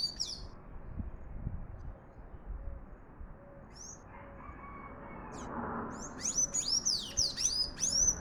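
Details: A sayaca tanager sings abundantly, giving a few isolated high squeaks, then a quick series of bright, squeaky, sliding twitters near the end, while a soft low tone repeats steadily in the background.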